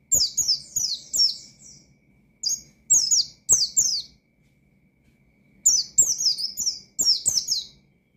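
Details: An Oriental white-eye delivers rival-provoking 'ngalas' song: quick strings of piercing, descending whistled notes, three short bursts separated by silent gaps of one to three seconds.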